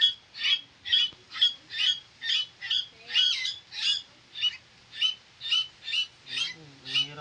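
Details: Caged pet koleto (Asian glossy starling) kept alongside pet crows, giving a steady series of sharp, metallic chip notes about twice a second for seven seconds, with a brief lower nasal sound near the end.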